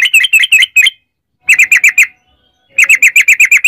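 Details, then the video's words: Yellow-vented bulbul giving 'ropel panjang', a long rolling song meant as a lure to set other bulbuls singing: three bursts of rapid, evenly repeated bright chirps, broken by short silent gaps. "trucukan gacor ROPEL PANJANG buat pancingan trucukan agar bunyi"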